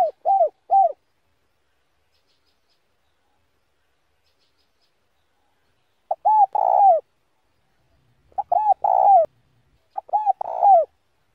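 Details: Spotted dove repeating slow-paced 'giọng đồng' song phrases, each a quick group of three or four rounded mid-pitched coos. The phrases come in separate bursts after pauses of several seconds, against a silent background.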